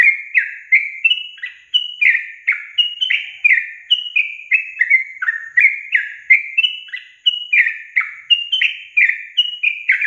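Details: Sooty-headed bulbul song used to provoke caged birds into singing: bright, bubbly descending whistled notes in quick overlapping pairs, repeated steadily throughout with no pauses, on a quiet background.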